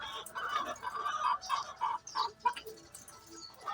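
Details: Chicken before laying eggs gives a run of short, clipped, mid-pitched clucks. The clucks come quickly and unevenly, then taper into quieter, sparser notes.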